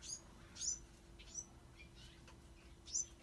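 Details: A few piercing high chirps from Bewick's wren fledglings, two loud notes at the start and end with softer squeaks between, over light background hiss.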